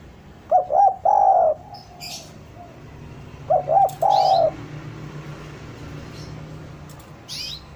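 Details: Spotted dove cooing meant to lure doves down: two phrases about three seconds apart, each a double short coo followed by a long steady coo, with brief high chirps from other birds.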